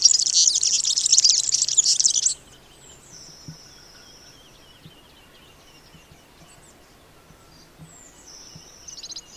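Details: European Serin singing a typical rushed, liquid twitter of high-pitched notes, packed densely for about two seconds. A few thin, high, drawn-out notes follow faintly over a quiet background.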